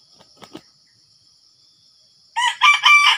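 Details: Red junglefowl crowing in Sumatra while wild junglefowl are lured with a decoy. Faint rustling comes first, then a loud harsh crow with stacked bright syllables that cuts off at the end, over a steady high insect whine.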